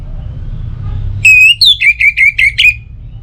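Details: Orange-headed thrush song used as a lure for morning and evening to get other birds singing: one long bright whistle, then about six quick, clipped whistled notes, over a low background hum.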